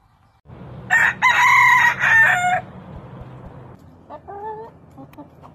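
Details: A rooster's crow rings out in broken, rising and falling syllables over a steady low rumble, followed by a fainter, shorter crow-like call.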